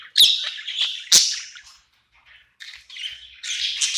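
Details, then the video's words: Budgerigar in a new home at night: two loud sharp chirps, a fading murmur, a brief silence, then softer buzzy chatter resuming. "Cute budgie night happy in new home singing and chirping sounds"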